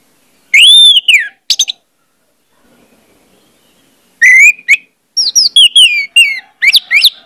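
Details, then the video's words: Orange-headed thrush singing lure song to make other birds sing openly: loud arching whistles and sharp notes, a quiet gap of about two seconds, then a long varied run of rich slurred and rising whistles. "pancingan anis merah bikin cepat ngeplong"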